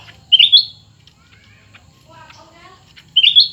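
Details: Cucak ranting in a singing contest between a new bird and an old one. Loud sliding whistled notes open and close the passage, with a softer warbling of lower notes in between.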